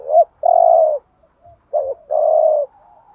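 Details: Spotted dove coo used as a decoy to excite other doves, urging style: a short rising note then a long level coo, a brief gap, and the same pattern repeated.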